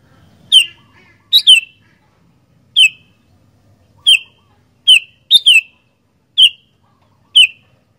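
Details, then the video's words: Persistent sooty-headed bulbul singing: eight bright chirps over eight seconds, mostly single downslurred notes with a couple of doubled phrases, irregularly spaced in a quiet setting. "Burung Kutilang Gacor Doooor"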